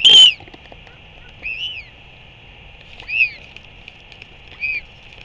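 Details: A royal albatross chick in New Zealand gives thin, high whistles while being fed by its father at the nest: one sharp note, then three short arched whistles about every second and a half, over a steady high hiss. Such calls stimulate adults to regurgitate food.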